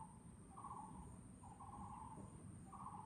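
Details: Taiwan barbet at Chunghsing New Village, Nantou, Taiwan, on 12 April 2018: hollow, low, slightly stepped notes, each about half a second long and repeated about once a second, over a steady high insect whine and low rumble.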